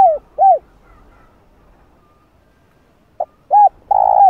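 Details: Spotted dove crowing, played to provoke wild doves: the tail of one phrase with two rounded coos, a pause, then a clipped note, a hooded coo and the start of a long purring coo.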